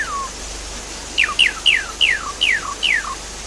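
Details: Javan pied starling repeating a clear slurred whistle that falls in pitch, six times at roughly third-second intervals after a single softer opening note, used to prompt another bird to sing.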